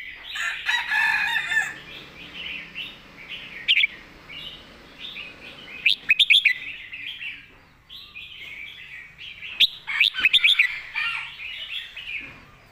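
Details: Red-whiskered bulbul in master song style, long runs of busy twittering warble with several loud, quick whistled flourishes of a few notes each.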